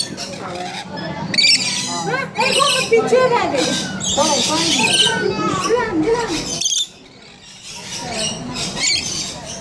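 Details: Rainbow lorikeets at Colchester Zoo give shrill, squeaky chirps and screeches in a busy overlapping chatter, with people talking and laughing throughout.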